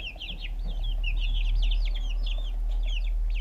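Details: Fluffy backyard chicks pecking at food, GoPro recording; a close, busy stream of piercing downslurred peeps from several birds at once, irregularly spaced, with a strong low-frequency rumble beneath.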